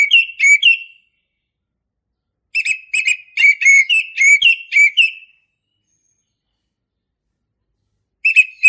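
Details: Male orange-headed thrush, singing vigorously: bursts of short, steady whistled notes repeated in quick series of about two per second, separated by several seconds of silence, with no other sounds.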